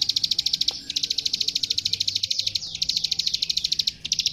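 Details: Plain prinia song played as a master recording for training young captive songbirds: a rapid, dry, high clicking series in long bursts broken by short pauses, steady and insistent throughout.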